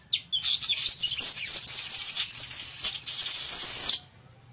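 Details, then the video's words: Village weaver song: a loud, sustained buzzy, sizzling stream of high notes, wavering and rattling for about four seconds, then breaking briefly before a final wheezy stretch; quiet surroundings. "ASI ES EL TEJEDOR Y SU HERMOSO CANTO [Ploceus cucullatus]"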